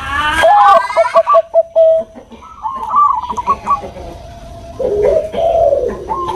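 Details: Bangkok-type zebra dove, kept as a cage bird, sounding a lure or training song meant to make males answer. Clear tonal notes come in a quick staccato run, then shorter coos, with faint mixed background calls.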